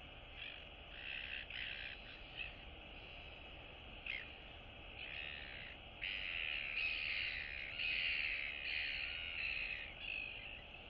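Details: In a colony on 9 September 2022, royal albatross chicks interact and greet neighbours, one still wearing down on neck and chest. Scattered rasping, chattering bursts grow into longer, denser runs of noisy calls in the second half, with a constant background hum.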